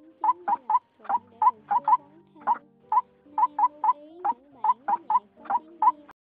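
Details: White-breasted waterhen single-note calls, edited as a bird-catching lure from late 2020: short hooked notes in clusters of two or three, separated by brief gaps, with quiet low humming tones underneath.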